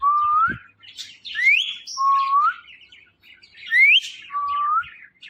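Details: Pet Indian ringneck parakeet gives clear, pure whistles, each one short and rising at the end, repeated at uneven intervals with faint chatter between them.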